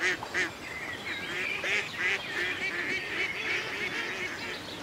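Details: Ducks by a lake in the country quacking in a busy chorus: rapid, nasal, harmonic calls repeated about three times a second, overlapping from several birds, over a steady hiss of water and outdoor background.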